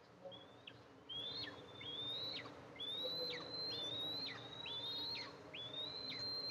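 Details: Mother Eastern imperial eagle arriving at the nest to feed her two eaglets, July 14, 2024, nest camera. After a brief quieter start, high thin whistles rise and snap downward, repeated about once per second.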